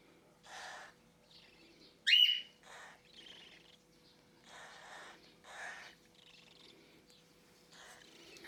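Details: Hand-reared cockatiel chick at its first syringe feed, a few hours out of the nest box, begging in a feeding reaction: short rasping wheezes spaced about a second apart, one sharp loud squeak partway through.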